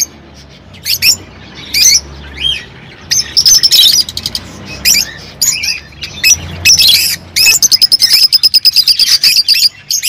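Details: Rosy-faced and Fischer's lovebirds calling to prompt mating. Scattered high upslurred chirps build into loud squawking, then a long fast series of clipped, evenly repeated ticking notes runs to the end.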